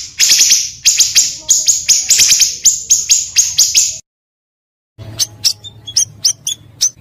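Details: Pancawarna bird, recorded as a lure sound: rapid runs of high, ringing chirps for four seconds, a brief silence, then sparser thin tweets and short trills.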